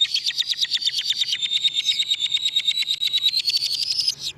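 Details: Lovebird trilling, used to lure lovebirds: a continuous rapid rattling trill of high shrill pulses, steady in pitch, rising slightly near the end, lasting about four seconds.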